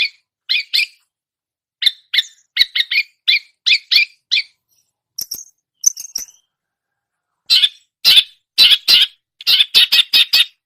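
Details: Long-tailed shrike imitating songbirds alternates choppy chattering notes with a few thin high whistles, then closes with a loud run of rapid harsh bursts.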